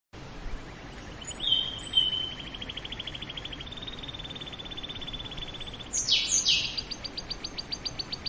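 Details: Canary singing: a long rapid trill of repeated notes, then a steady whistled tone, followed by sharp descending sweeps and a fast even rattle of high clicks near the end.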